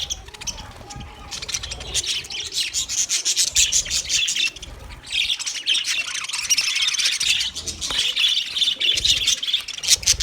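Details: Budgerigars chattering as company for a lonely pet bird: steady streams of fast, scratchy high chirps and warbles, rising in intensity after the midpoint and running on continuously with many voices overlapping.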